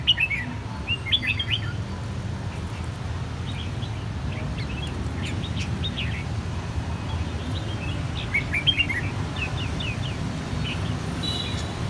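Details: Red-whiskered bulbul song in the clean bell style, from three birds of one brood whose white cheeks turned red in one season; repeated bursts of sharp, ringing whistled notes in quick groups of three to five, over low-frequency noise.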